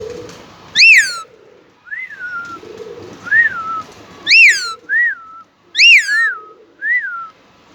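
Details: Pet Indian ringneck parakeet, said to talk in Urdu or Hindi, indoors: loud harsh rising-falling screeches alternate with softer whistled arched notes about every second, over faint low background hum.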